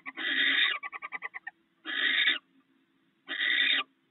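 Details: A barn owl pair at the nest snacking on rats the male brought in. A long hissing screech followed by a short burst of clicks, then two more harsh screeches about a second and a half apart.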